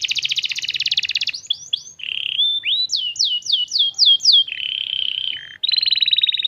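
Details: Canary, a young bird (paud), singing as a lure to set other canaries singing: a dense rattling trill, a few quick swoops, steady whistled tones, a run of falling slurred notes, and a closing rapid roll.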